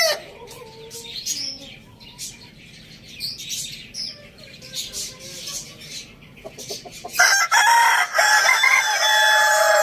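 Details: Rooster on a village farm. Small birds chirp quietly for several seconds, then a loud, sustained, raspy crow begins and carries on to the end.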